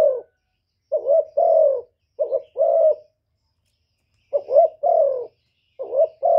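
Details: Spotted dove giving 'thổ thúc' style coos and calls to rile wild birds: paired mellow hoots, brief lifting note followed by a drawn-out sinking coo, four phrases with a long pause midway, quiet background.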